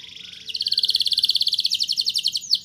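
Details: Canary rolling song meant to prompt young canaries to sing: a soft buzzy start building into a loud, rapid, evenly pulsed trill held for about two seconds.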